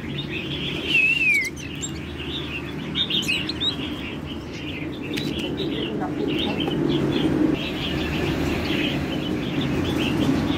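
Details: A moulting Oriental magpie-robin gives a clear whistled phrase that slides downward, then a run of quick, varied chirps and short notes over a low steady hum.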